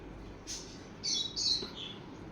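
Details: Playful sun conure parrots uttering a few thin, high chirps and short squeaky notes in quick succession, over a quiet room background.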